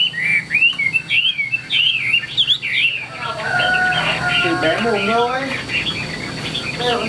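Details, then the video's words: Chinese hwamei, a Vietnamese caged bird of the "ngũ trường" song style used in tail-spreading fights, opens with quick bright twisting whistles, then lower swooping tonal notes and softer warbles follow over steady background hiss. "HM 1385 - NGŨ TRƯỜNG - ĐẤU XÒE BỀN - CHƠI CÁNH HÀNG VIP"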